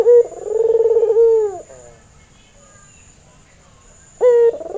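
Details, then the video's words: Albino white male Barbary dove with red eyes, in breeding mood, cooing as a training lure: a short note, then a rolling trilled coo that levels off and drops away. A second coo starts near the end. A faint steady high whine runs throughout. "Burung Puter Putih Mata Merah‼️ ,Pancingan Masteran Burung Puter Bahan"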